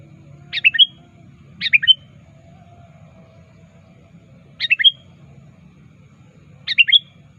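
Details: Sooty-headed bulbul calling to a rival, used as a lure: four spaced bursts of sharp chirps, each a stacked downslurred flick ending in a thin whistled note, with quiet low hum throughout.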